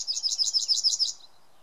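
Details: A yellowhammer in Samara Oblast, May 2016, sings a quick run of about eight high, dry, chipping notes over one second, then stops, with a faint background hush.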